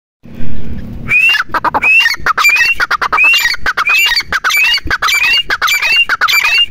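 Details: Grey francolin (teetar) calling: after a second of low rumbling noise, a loud, rapid series of harsh notes, each capped by a sharp rising whistle, repeated about one and a half times per second.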